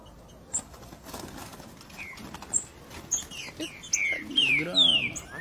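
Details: Captive green-winged saltator from Brazil, a three-note 'boi' singer: after scattered faint chirps, loud descending whistled notes come near the end, over a low harmonic voice-like sound and background noise.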